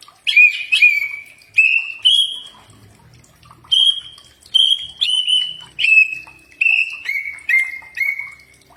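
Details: Common iora song for training caged birds: a steady series of short whistled notes, about one every three-quarters of a second, each slightly slurred and dropping in pitch toward the end.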